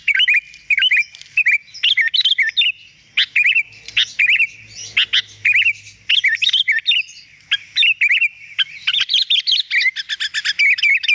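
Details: Sooty-headed bulbul in lively, clear song used for tutoring other birds: a continuous stream of short, rich, bubbling whistled phrases, rising and falling, repeated rapidly with brief gaps, ending in a denser chattering run.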